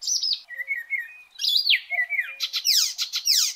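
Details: Icterine warbler in full song, used as a master song for training small songbirds: a varied run of high whistled slurs and falling notes, then fast harsh, buzzy repeated bursts near the end.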